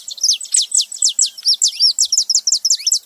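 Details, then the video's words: Saffron finch delivering a loud, rapid, nearly continuous series of clipped, high, slurred chirps, roughly eight per second, with a clean background. "Canário da terra fazendo barulho"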